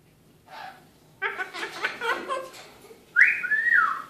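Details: Talking pet Eclectus parrot in the evening: a soft syllable, then a string of speech-like babbled words, ending in a loud bent whistle.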